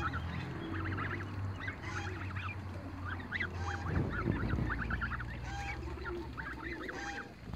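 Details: In a backyard, a group of young Toulouse geese on the run utter rapid, high, wavering peeps in clustered bursts of several notes. A persistent low hum and thumping footsteps sit underneath.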